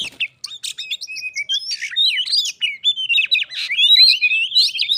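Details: White-rumped shama, a caged pet visited by a wild one, singing in a contest that turns into a fight in Indonesia: rich, varied whistled phrases with rapid rising and falling notes, sharp chips and harsh bursts, nearly continuous.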